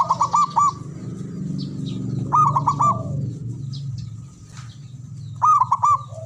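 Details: Male zebra dove, kept as a local caged bird, gives three clipped, bubbling coo phrases over a steady low hum, with scattered faint high chirps from other birds.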